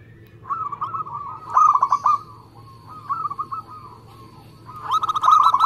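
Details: Local zebra dove singing actively: soft, rolling coo phrases broken by two louder bursts of quick, trilled cooing notes, the second run closing the passage.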